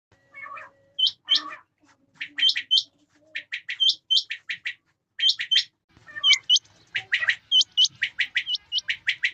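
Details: Male and female quail calling in the rain: sharp upswept whistled notes in pairs and triplets, mixed with harsh raspy bursts and a few softer lower notes, the calling growing denser toward the end.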